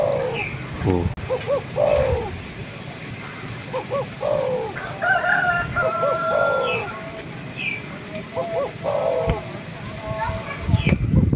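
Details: Spotted dove, a male calling a female, in a recording used to draw wild birds near: low arched cooing phrases in repeated groups, with higher chirps from other birds and background noise.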